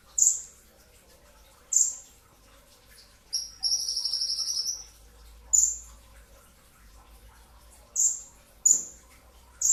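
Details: Before dawn, a brown-throated sunbird gives dense bursts of song. Spaced, very high sharp notes fall in pitch, and a long, rattling high trill sits in the middle. The background is quiet.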